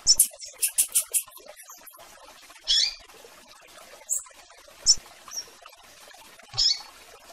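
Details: Rusty-collared seedeater giving peeping calls to attract a female, heard alongside blue-black grassquit: a fast burst of five sharp, very high clicking chips, then scattered single high chirps and buzzy notes over faint hiss.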